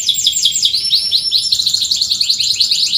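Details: Short burst of canary song, played to prompt quiet canaries: rapid cheeping notes repeated in quick succession, with a thin high whistle running over the trill.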